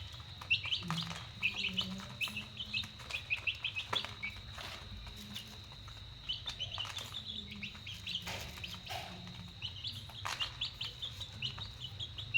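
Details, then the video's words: A group of chicks at dinner time chirps busily, piping high, short, downward-slurred peeps in clustered runs with brief pauses, over faint knocks and a low steady hum. "Dinner time chicks"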